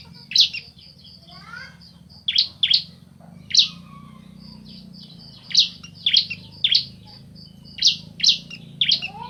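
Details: Bar-winged prinia pair, male and female calling back and forth: well-spaced single and paired sharp high chirps every second or so, over a faint continuous dotted high tone and soft low background hum.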